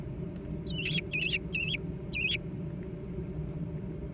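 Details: Young American kestrels squabbling over food give four short, rasping, warbled cries close together, followed by quiet with only a low background rumble.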